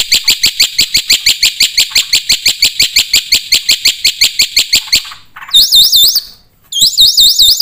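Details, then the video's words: Black-winged starling in vigorous, phrase-rich song: a long, very regular train of clipped chirps about four per second, followed by rapid wavering high trills after a short pause. "suara burung jalak putih gacor full isian"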